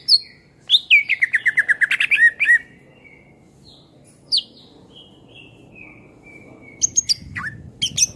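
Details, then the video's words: Greater green leafbird, energetic song for tutoring songbirds: a rapid rolling warble of repeated notes, then long thin whistles sliding gradually downward, ending in a few sharp chips, over faint background noise. "SUARA MASTERAN CUCAK IJO GACOR"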